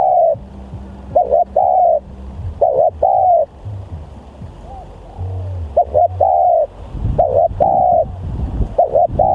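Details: Spotted dove (tekukur) used as a decoy bird, described as very aggressive and vocal; repeated cooing phrases, each a quick double note then a longer steady coo, over a low droning hum and faint background rumble.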